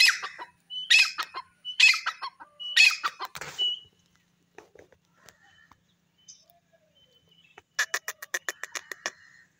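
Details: Grey francolin calling: a series of four loud, harsh, ringing phrases about a second apart, a pause with faint notes, then a fast burst of rapid, clipped, repeated notes.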